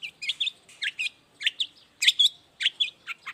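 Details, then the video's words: Morning song of a long-tailed shrike, played as a lure so other shrikes reply: clusters of quick, high twittering notes in uneven pairs and triplets, sharply clear, with brief pauses between bursts. "toet toet Suara cendet gacor Pagi Hari pancingan jitu BIKIN cendet diam langsung nyaut ikutan bunyi"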